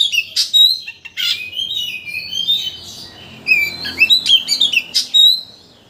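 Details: White-rumped shama lure track to provoke a full song display: rapid sharp chirps and harsh notes mixed with whistled slurs, delivered in repeated bursts across the whole recording.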